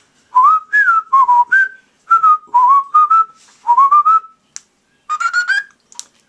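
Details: A male cockatiel, recorded January 24, 2011, whistles a string of clear, rising and falling notes in quick phrases while being coaxed to perform.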